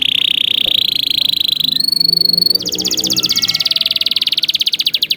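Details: Canary song for tutoring juvenile birds: a rolling trill, a thin high trill, then a long loud stretch of rapid, evenly repeated pulsed notes.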